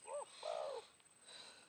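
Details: Wild spotted dove calling back to a decoy bird during a midday trapping session after morning rain; two arched, hollow cooing notes, a short one then a longer drawn-out one, over a steady thin insect hiss.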